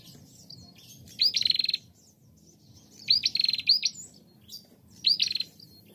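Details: A female bar-winged prinia in active call, recorded to lure other prinias into calling: three bursts of rapid, high, ticking notes, each about half a second long and roughly two seconds apart, over a faint low hum.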